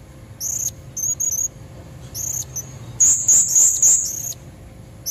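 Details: Calls of a female blue-crowned hanging parrot, used to attract red-throated males: short high squeaks in pairs, followed by a louder rapid series of thin, shrill notes.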